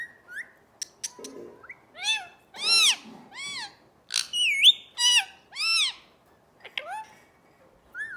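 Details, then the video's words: A parrot producing loud, clear harmonic sounds: arched whistled notes, sweeping syllables and brief clicks, delivered in an irregular series with short gaps, close and dominant against a quiet background. "parrot talking"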